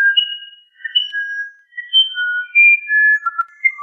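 A musician wren sings a string of pure, flute-like whistled notes, each held briefly and jumping between higher and lower pitches in a tuneful, unhurried phrase.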